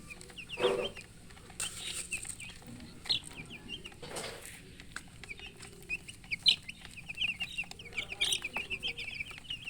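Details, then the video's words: Baby chickens, coloured chicks thirsty for drinking water, chirp continuously: many short high falling peeps from several birds overlap in busy runs, with a few loud knocks and thumps between. "Murgi chicks Chirping sounds with thirst for drink water"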